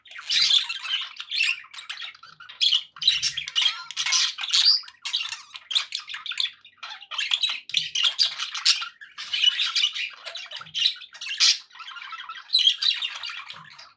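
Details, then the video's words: Happy pet budgerigars in long, rhythmic chatter, a series of short buzzy squawk bursts and warbles with regular little breaths of quiet between them. "happy budgie sounds"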